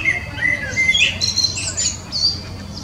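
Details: A common blackbird delivers a few fluty whistled notes, then a run of sharp, high-pitched twitters. Light background noise is heard throughout.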